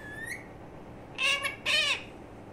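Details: Baby budgerigar calling: a short thin whistle, then two loud harsh squawks with stacked harmonics about half a second apart, against low steady background noise.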